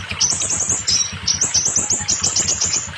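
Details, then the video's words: Rapid runs of sharp, high rising notes from a scarlet minivet, almost continuous across three seconds, used to encourage young, quiet or molting birds to sing; faint low rhythmic pulses below. "sepah raja bakalan, macet, mabung pasti gacor dengar suara ini"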